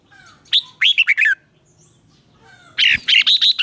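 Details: Red-whiskered bulbul morning training song in 'chè' style: a short phrase of bright, slurred chirps, a quiet gap, then a loud, rich tumble of bubbly whistled notes.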